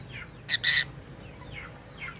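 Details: Lovebird calling in an unusual voice said to imitate humans: two loud, harsh squawks in quick succession, with faint falling chirps before and after over a low hum.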